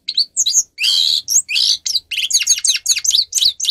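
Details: Singing grey-crowned goldfinch, recorded as training song for captive goldfinches. Quick, bright warbling phrases of whistled slurs alternate with longer nasal buzzing notes, building into a rapid chattering twitter.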